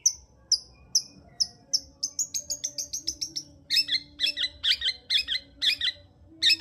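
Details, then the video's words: Long-tailed shrike song, used as a lure to raise arousal in a quiet bird: thin high whistled notes at first, speeding into a quick tinkling sequence, then louder doubled metallic chirps repeated in rhythm. "Pancingan Cendet Gacor Untuk Menaikkan Birahi cendet Malas Bunyi"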